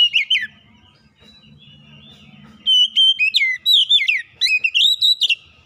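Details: Kacer lure song for coaxing lazy birds to sing: after a brief whistled phrase and a quiet stretch with low background hum, a long lively run of bright whistles rising and falling.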